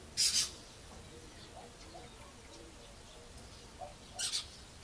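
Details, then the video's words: Lesser kestrel at a breeding and rehabilitation centre at Levka, Sakar region, Bulgaria, in early July, when young are starting to fly and parents still feed chicks: two brief, harsh, rasping bursts with faint soft chirps between. "Lesser Kestrel, Falco naumanni"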